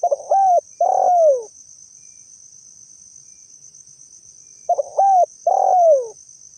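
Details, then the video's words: A Spotted dove, used as a lure call to make other doves answer, gives a soft cooing phrase of two short notes and two longer falling coos, repeated after a pause, over a steady high insect whine. "TEKUKUR GACOR - Suaranya Paling Ampuh Untuk Pancingan & Pikat"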